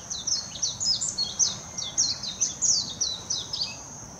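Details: Warbling white-eye recorded 26 June 2021 in Hashimoto, Wakayama Prefecture, singing a bright, tumbling run of very high slurred twitters, phrases pulsing rapidly and evenly, with light ambient hiss.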